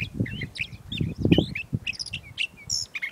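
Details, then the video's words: California Thrasher (Toxostoma redivivum) singing in spring at Montana de Oro State Park, California: a quick run of varied phrases, some whistled and some harsh and chattering, over a steady low rumble of wind or distant noise. "Calif Thrasher Song"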